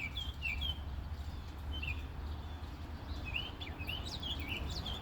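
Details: Male bird singing in spring to attract a mate, heard beside a car while groceries are loaded; short bright chirps and slurred whistled notes come in scattered bursts over a steady low rumble of vehicle noise.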